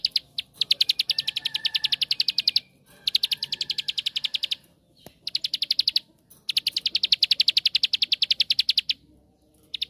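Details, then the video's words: Bar-winged prinia, the rice-field ciblek, in rapid 'tembakan' shooting song used to lure other prinias into singing: long fast trains of sharp high ticking notes, about four seconds each, separated by short pauses, with a brief lower buzzy note between bursts. "Suara Tembakan Ampuh Untuk Pancingan Ciblek Sawah Anda"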